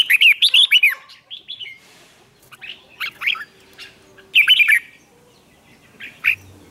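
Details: Challenge singing of a red-whiskered bulbul aimed at provoking other birds: an opening burst of quick, bubbling whistled notes, then shorter, softer phrases spaced out, with another loud flourish near the end.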